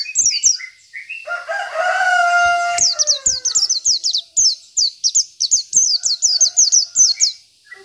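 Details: Local Oriental white-eye (pleci) in full song, used as a training tutor for other birds: a fast string of high, thin, down-slurred chirps, several per second; a rooster crows near the start.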